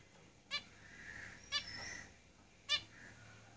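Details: Zebra finches in a cage: three clear, brief, buzzy nasal calls spaced about a second apart, with faint softer tones in between over low room noise.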